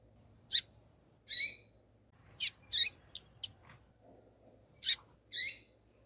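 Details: Female rusty-collared seedeater calling to excite a spirited male: brief, very high piercing chirps and a few longer buzzy notes, irregularly spaced, with a quiet low background hum.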